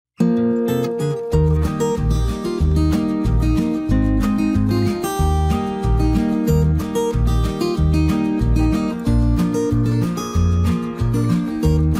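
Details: Acoustic guitar music with steady strummed and plucked chords plays throughout, and no animal can be heard.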